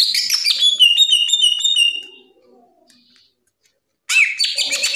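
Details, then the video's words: Cucak ijo (green leafbird) in ngerplong gacor song. A fast sequence of high, thin, chipping notes fades out, and after a pause a loud scratchy phrase returns. "SUARA CUCAK IJO NGRPLONG GACOR"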